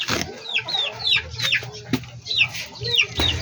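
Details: Chickens in a backyard breeder's flock: sharp, high peeps falling in pitch, given in small clusters, broken by a few loud clicks and a faint low hum.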